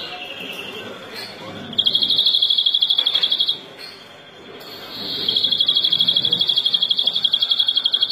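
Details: European greenfinch song: two bursts of rapid, evenly repeated bright trilled notes, the second long and steady, separated by a quieter pause with faint chirping.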